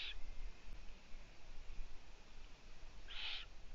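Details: Owlets at the nest, 4 June 2017 around 15:20, looking upward as if someone is above the nest, with the female absent for two days; two short, raspy hissing calls about three seconds apart over a steady low rumble.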